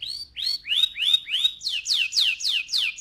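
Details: Male canary song used to excite males and prepare females for breeding: a bright run of rising whistled arcs, then quick downward-swept notes, about four per second, in a quiet room.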